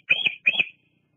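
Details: Female bald eagle on the Fraser Point nest during an evening visit in July 2022, recorded by a live cam while resting: two quick shrill, squealing notes in close succession, then quiet.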